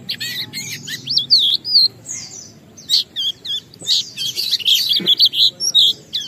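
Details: Oriental white-eye singing ngalas to draw other white-eyes into song: high wavering whistles and squeaky warbles, broken by brief pauses and sharp clicks between phrases.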